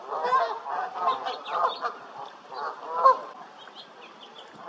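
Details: Canada geese calling together, a dense run of nasal harmonic honks overlapping one another, loudest around the third second, with faint higher chirps of other birds behind.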